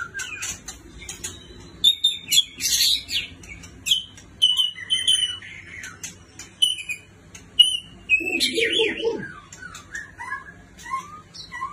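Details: White-rumped shama from a neighbouring country, singing varied clear whistles, short sweet phrases and quick chips spaced by pauses, with some upslurred notes near the end.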